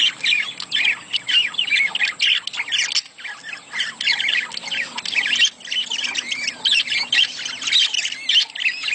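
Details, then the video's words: Budgerigars giving mating chatter used to stimulate breeding: a dense, continuous mix of rapid warbling, chirps and scratchy squawks from several birds, bursts pulsing roughly several times a second throughout. "صوت تزاوج العصافير الاسترالي محفز ليهم"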